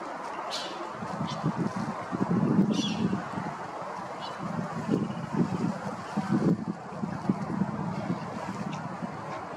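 Ducks give low, nasal quacks and chattering calls in irregular bursts over a steady background rumble, with a few brief higher sounds.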